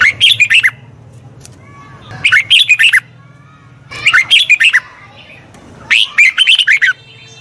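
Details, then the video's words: Red-whiskered bulbul, a wild-caught bird being trained, sings four bursts of rapid, warbling whistled phrases about every two seconds, each a quick run of bright rising and falling notes, with a faint low hum underneath. "Tiếng chào mào luyện giọng chim bổi. นกปรอดหัวโขน"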